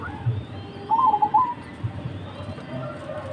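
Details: Big-voiced Mojopahit zebra dove singing as a lure for other doves: a single short phrase of quick, rolling, trilled coos lasting about half a second, with a low background hum throughout.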